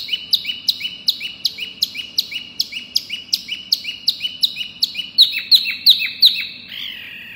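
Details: Wambi mini lure call: a long, even run of sharp high whistled notes, about three a second, growing louder near the end before a short buzzy note.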